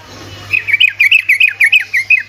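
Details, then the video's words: Sooty-headed bulbul lure song, ropelan style, for stirring lazy bulbuls to call back: after a brief quiet start, a clean run of about ten clear, down-slurred whistled notes in even succession. "Trucuk ropelan GACOR🔥‼️ amunisi untuk burung trucukan malas bunyi otomatis langsung nyaut"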